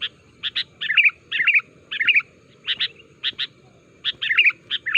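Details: Sooty-headed bulbul calling to prompt other bulbuls to answer: paired sharp chirps and short rolling warbles in bursts, brief pauses between groups, faint low background rumble.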